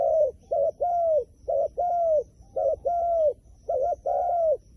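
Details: Wild pigeon cooing in low paired phrases, each a short double-humped note followed by a longer arched coo, repeated about once a second against a quiet background.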